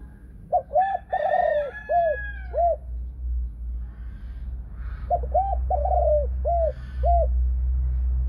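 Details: Spotted dove, a Thai-line female with the 'thunder voice' (thổ sấm) calling style and two ending notes. Two phrases of low, hollow, arched coos, each a quick cluster of notes, separated by a pause, over a steady low hum and a faint higher call.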